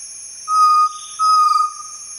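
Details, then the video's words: Chestnut-necklaced partridge vocalization: two mellow, level whistles about half a second apart, the second longer, over a steady high hum of insects. "Chestnut-necklaced Partridge vocalization"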